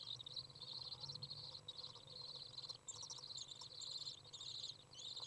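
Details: Young Common Swifts out of the nest on a very warm 30 °C day, 27 June 2011, as a parent comes in to feed: a dense, continuous high-pitched buzzy trilling chatter with brief higher squeaky notes, over a low rumbling background.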